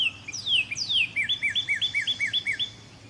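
A cardinal sings two long, loud whistles slurring steeply downward, then a quick run of about a dozen short, clear slurred notes, roughly five per second.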